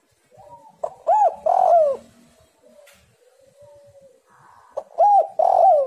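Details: Spotted dove singing as a lure for other doves: two full phrases of low, soft coos, each a short note followed by rounded and drawn-out coos, with faint quiet whistling between them.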